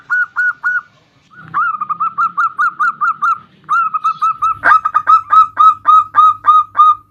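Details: Actively singing local zebra dove: a long run of short, clipped coos, roughly three or four each second, with a brief pause before the series resumes even and steady; a single loud click sounds midway.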